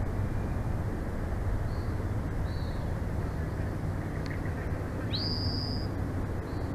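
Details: Bald eagle at a nest in Big Bear Valley, 9 June 2024, mid-afternoon, live nest camera: a few faint high whistled notes, then a sharp rising piping call held briefly, all over steady loud wind rumble.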